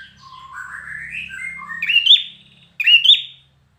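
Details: Soft, wavering lower warbles open the recording. Then a competition-trained red-whiskered bulbul bursts in with two loud, ringing whistled phrases, each ending in a quick upward flourish.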